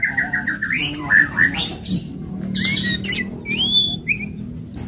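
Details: White-rumped shama, an aggressive bird, sings fast varied phrases meant to stimulate other shamas: a run of repeated short notes, then rising whistles and sharp high slurred notes, over a low background hum.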